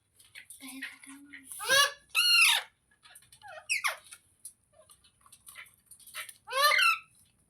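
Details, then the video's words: Parrot giving loud, harsh, ringing squawks among quieter squeaks and chatter, with a low brief hum early on. "Funny Parrot Sounds Videos | मिट्ठू की आवाज़ | तोते की आवाज़"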